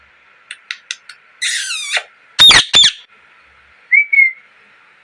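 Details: A parrot gives a few soft chirps and a noisy rasping phrase, then two loud harsh squawks. A short rising whistle closes it.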